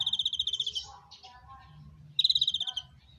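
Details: Konin bird calling during mating: two bursts of rapid, pulsed high trills separated by quieter chattering notes, over a low background hum.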